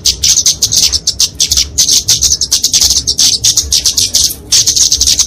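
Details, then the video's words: Fighting song of a flowerpecker (kemade) for tutoring and trapping songbirds: rapid high, sibilant chirp series in clustered bursts, nearly continuous with small gaps. "Kicauan Kemade Tarung Untuk Masteran&Pikatan Burung Kecil"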